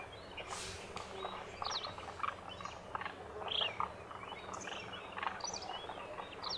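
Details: Wintering flock of Demoiselle Cranes, locally called Koonj, at the lake in Khichan village, Thar Desert, Rajasthan, India, where thousands gather; many overlapping short honking and trumpeting calls from numerous birds over a continuous noisy background.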